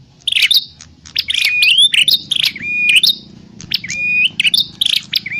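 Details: Prenjak klawu (prinia) calls meant to lure birds for trapping: continuous bright chirping with repeated drawn-out level whistles and rising notes, phrases about every second.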